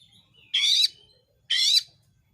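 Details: Oriental magpie-robin in lively song, recorded to provoke other magpie-robins into singing; two loud, harsh, rasping bursts about one second apart, each under half a second, with a faint thin whistle between them.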